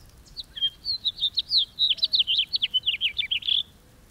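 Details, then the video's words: House finch singing a long, rapid warbled song of varied slurred and buzzy notes, ending on a drawn-out buzzy note, over quiet background. "The song of the House Finch"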